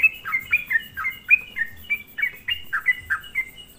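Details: Sooty-headed bulbul lure song intended to provoke other bulbuls; clear, sweet whistled notes slurring down, delivered about three per second in an even rhythm.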